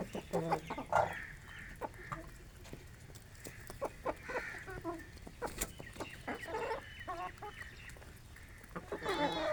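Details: Morning grain feeding of an Aseel rooster with hens in a village; irregular stream of short clucks and pecking clicks, a few longer nasal notes, and a louder clucking burst at the end.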